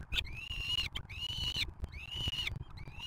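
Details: Peregrine falcon (Falco peregrinus) at a nest on the Museo de América, Madrid, filmed on a live nest camera around chick feeding, gives four harsh, level, slightly rasping drawn-out wailing calls in about three seconds over low wind or traffic rumble.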